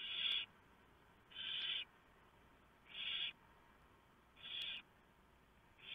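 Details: Barn owl family at the nest at 3:59 AM, 3 November 2015, with the owlets being fed a huge mouse the male delivered. Rough, airy screeching hisses of about half a second recur every 1.4 seconds.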